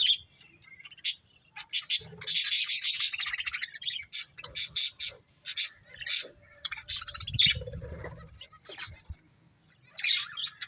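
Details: Breeding pair of budgerigars squawking and chirping in loud, harsh bursts, repeated every second or so, with short quiet gaps.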